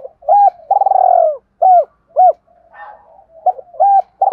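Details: Spotted dove cooing played as a lure for birds: short arched coos alternate with one longer, rolling, vibrato coo, delivered at about two notes per second, with faint scratchy murmurs between notes.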